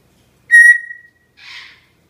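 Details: A Senegal parrot trained to whistle on command, after its owner repeatedly says "whistle", gives one clear, steady, fairly high whistle of about half a second that trails off, then a short, soft, breathy rasp.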